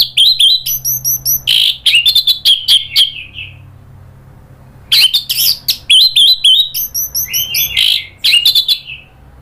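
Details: Orange-headed thrush worked up into nratak chatter leading toward ngeplong song: rapid strings of sharp chips mixed with bright whistles and buzzy notes, two dense bursts of several seconds with a quiet gap between.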